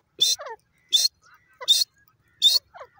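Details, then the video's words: Four loud, raspy francolin (teetar) calls come about every three quarters of a second, each followed by a quieter, descending chattering note. "desi teeter ki masti,jungli teeter ki awaaz"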